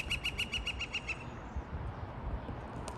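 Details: Woodpecker in Seattle calling for females near a metal chimney crown: a quick series of about eight clear, sharp, evenly spaced notes, then it stops as the bird flies off, with steady low background rumble.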